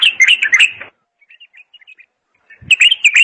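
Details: Bulbul singing: a rich chattering phrase of quick warbled notes, then a run of soft thin chirps, and a second loud warbled phrase.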